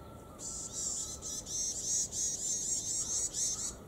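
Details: Two varied tits calling back and forth at Kitamoto Nature Observation Park: a quick run of about eight high, buzzy, nasal notes with harmonics, evenly spaced over three seconds, plus a faint lower steady tone underneath.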